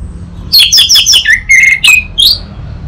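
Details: Orange-headed thrush song meant as a lure and master for an untrained bird: a quick run of four loud, bright whistled notes, then a lower sustained whistle, a sharp note and a rising final whistle.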